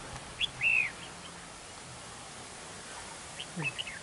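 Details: Red-whiskered bulbul decoy at a trap in a territorial fight on a windy day, one arched whistled phrase, then a faint answering chirp series.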